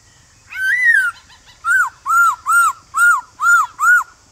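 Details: In the morning a male white-cheeked laughingthrush calls to a newly caught bird, singing in its wild-type voice: one long arched whistle, then six evenly spaced, rounded whistled notes, each lasting about a quarter second.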